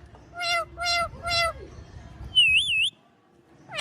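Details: Ringneck parrot gives three drawn-out, harmonic, slightly nasal calls about half a second apart, then a high wavering whistle and a final short rising note.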